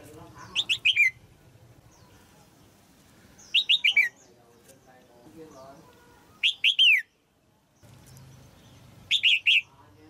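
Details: Red-whiskered bulbul female singing in a cage to stimulate a mature male; short phrases of three or four clear, downslurred whistles repeat roughly every three seconds, with low background hum and murmur between.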